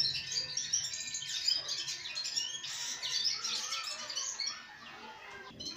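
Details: Dense sparrow chattering, quick high tweets piling over one another, slowly thinning toward the end over a low background hum.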